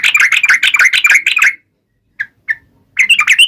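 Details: Yellow-vented bulbul delivering its rival-taunting song: a dense bubbly chatter, then a pause broken by two short single notes, before the rapid chattering resumes.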